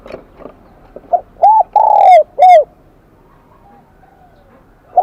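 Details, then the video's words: Spotted dove singing in the high, bell-like Kim Đồng voice style, a wild-caught bird. Soft lead-in notes build to a phrase of rounded coo, long falling note and short coo, then another begins. "Tiếng chim cu gáy giọng KIM ĐỒNG bổi nghe rất nhạy"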